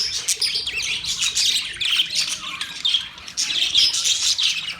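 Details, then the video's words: Pet budgerigars chirping and warbling in a dense, continuous chatter of buzzy, scratchy notes and short high whistles, rising and falling in bursts with barely a pause. "Budgies singing | Budgies sounds | Budgies talking | Budgies chirping sounds"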